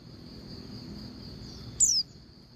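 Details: Female Oriental white-eye call meant to draw a male into singing: after a stretch of steady high hum, a single brief, piercing downslurred whistle near the end.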